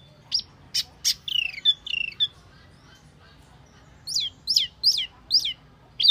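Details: Lure call of the Wambi mini: sharp high ticks and short whistled phrases, a silence, then clear downward-sweeping chirps about one per second.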